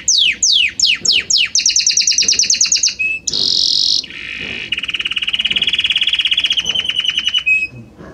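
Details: Harmonious, many-noted song of a Belgian canary. Sweeping downward whistles run into a rapid chatter, then a dense high buzz, a lower rolling trill of evenly repeated notes, and a final short whistle.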